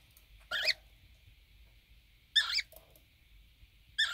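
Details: A mated pair of conures squabbling while bathing in drinking water, dated 23 February 2019: three loud harsh squawk bursts at about 0.5, 2.4 and 4 seconds, with quieter chatter between and a faint steady hum.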